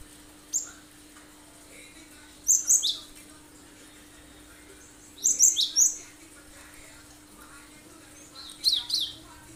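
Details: Energetic Cinereous tit song in the sharp shot ('tembakan') style, played to prompt other birds to imitate it: shrill, very high clipped phrases of two to four notes every two to three seconds, with a single lone note first and a faint hum beneath.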